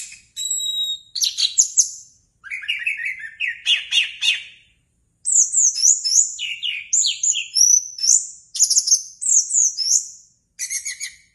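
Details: Orange-headed thrush, a pet bird kept in Indonesia, singing a varied, rich phrase of whistles and buzzy notes between roughly 2 and 9k, with mimicked-sounding sweeps and rapid trills delivered in bursts separated by brief pauses.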